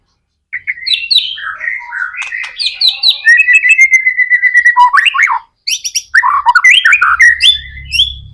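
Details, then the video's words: White-rumped shama singing hard to draw other shamas into song: varied whistled phrases climbing and dropping, a long run of rapid even notes, a brief gap, then more high whistles and chips over a low hum. "MURAI BATU GACOR AMPUH BUAT PANCINGAN MURAI BATU AGAR CEPAT BUNYI JADIKAN BURUNG MURAI GACOR"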